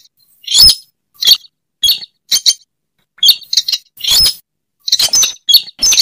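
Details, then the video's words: A Slaty-breasted Rail lure call gives harsh, high, clipped notes in short bursts, about two a second, irregularly spaced with brief pauses between. "Suara pikat burung weris/Burung sintar semak"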